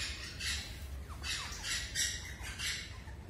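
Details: Caged rosella parrot in India giving harsh, broadband squawks in short bursts roughly every half second, some notes sliding downward, over a steady low hum.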